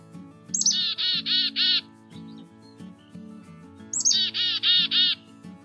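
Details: Black-capped Chickadee gives its namesake chick-a-dee-dee-dee call twice: a high thin opening note, then four buzzy, harsh dee notes, a call heard frequently in Massachusetts backyards. Soft music plays underneath.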